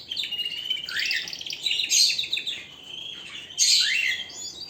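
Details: Singing canary delivers varied twittering phrases with rising and falling sweeps, short rapid trills, and a loud upward-swooping burst near the end.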